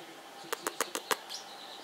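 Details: Two blue male Pacific parrotlet brothers chatter: five harsh, scratchy chips in a quick, even burst of about seven per second, then a faint thin note, over a low hiss.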